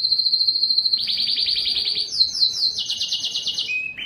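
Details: A yellow canary sings a steady high note, then switches to quick pulsing trills, jumps to a higher chattering run, and closes with short lower notes.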